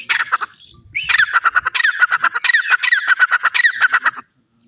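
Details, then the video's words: Francolin (teetar) calling in a long loud series of harsh ringing notes, rapid rasping phrases repeated steadily for about three seconds after a short opening burst. "Teetar Awaz,Teetar pakshi, titur ki Awaz,dakhni teetar ki boli"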